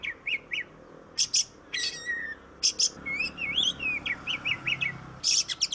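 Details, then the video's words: Energetic magpie-robin song played as a singing lure: sharp buzzy blasts, a long swooping whistle, then a string of rising chirps and a final harsh burst over a faint background hum. "Suara burung kacer Kacer ngoceh Kacer gacor"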